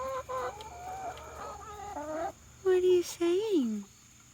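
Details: A turkey hen, apparently reacting to her reflection as if another turkey, gives a run of soft, wavering chatter, then two loud nasal whines, the last rising briefly before sliding down; a person's voice is faintly heard.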